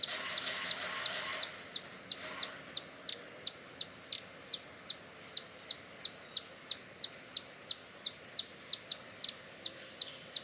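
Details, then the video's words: Hummingbird in Brazil giving a long run of sharp, high chips at about three per second, with occasional faint thin squeaks in between. "som de beija flor-hummingbird sound"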